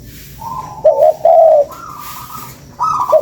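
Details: Spotted dove call played as a lure: a soft hum rises into loud, hollow, wavering coo notes, a pause, then a higher drawn-out tone and a final pair of coos.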